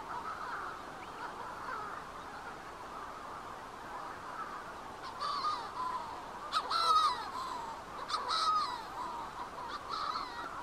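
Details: Manx shearwaters near the Bardsey Bird and Field Observatory on Bardsey Island, Wales, give harsh, throaty cackling calls in bursts over the second half, rising and falling like hoarse crowing, over a steady rushing background. Manx shearwater.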